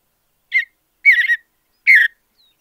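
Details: Three short, slightly buzzy warbled phrases from a Mountain Bluebird, each under half a second and spaced about half a second apart, in a natural habitat with a silent background.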